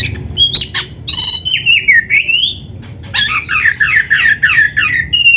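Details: Oriental magpie-robin (kacer) song used as training material for a captive bird: loud, varied run of harsh chattering notes, long sweeping whistles rising and falling, then rapid repeated slurred whistles.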